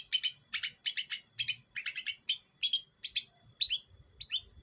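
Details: Training-lure recording of an East Java long-tailed shrike raised from a chick: an unbroken series of scratchy, paired harsh notes roughly three per second, closing with a few slurred, descending notes.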